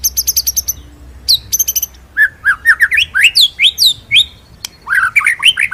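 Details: White-rumped shama song used as a master recording for training other birds, in rolling, shooting style: opening bursts of rapid high staccato notes, then a run of loud swooping whistles, several per second, ending in slurred phrases.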